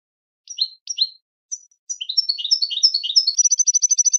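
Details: Cheerful goldfinch song: two spaced chirps and a thin high note, then a rapid stream of slurred twittering notes sliding down in pitch, ending in a fast buzzy trill of repeated high notes. Quiet background.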